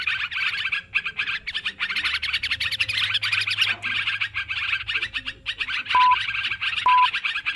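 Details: Noisy yellow-vented bulbul chatter from a bird-trapping lure recording, dense rapid bubbly notes throughout, with two short, pure electronic beeps near the end.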